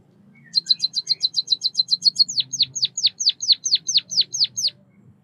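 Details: A fast tinkling trill of high chirps from a White-headed munia (Bondol kaji) runs into a series of about twelve down-slurred chirps, then stops.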